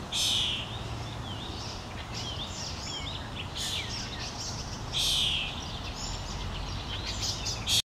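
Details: Common starling fledgling being fed by a parent on a lawn in Helsinki, Finland, June 2013: harsh, rasping begging bursts at about 0.3, 5 and 7.8 seconds, with thin chirps and faint rising whistles in between over a steady low background rumble.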